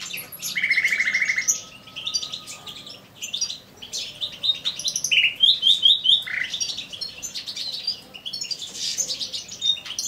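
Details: Male common nightingale in an aviary delivering varied song: a long, harsh, rattling note, then rapid high chirps, a sweeping slurred phrase and bursts of trilled notes, with faint chatter behind.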